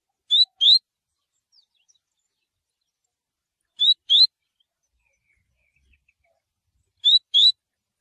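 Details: Double-collared Seedeater, or Coleiro, giving its tui tui song, used for training: paired upslurred whistles, tui-tui, repeated three times at intervals of about three seconds, with silence between.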